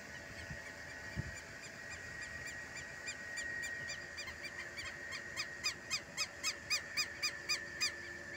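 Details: Southern lapwing at a rural smallholding, calling in a series of sharp, harsh notes about four per second that grow louder and more regular toward the end, over a steady background hum.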